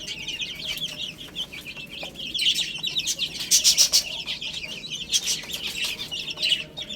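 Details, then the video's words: Many little chicks eating spinach, peeping constantly in high, short, downward chirps that overlap into a busy chorus, with louder bursts and sharp pecking clicks mid-clip. "Adorable Little Chicks Chirping Sounds"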